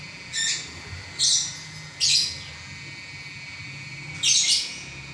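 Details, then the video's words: Champion lovebird in ngacor song: four harsh, buzzy chatter bursts about a second apart, a longer silent gap, then a broad scratchy burst near the end, with a faint low hum throughout. "Burung LoveBird Juara Nya Ngacor 11 Menit Enggak Berhenti"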